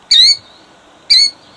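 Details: Killdeer defending her eggs, Jackson, New Jersey, 2008: two piercing, high, slightly falling cries one second apart, each short and sharp, against a quiet background.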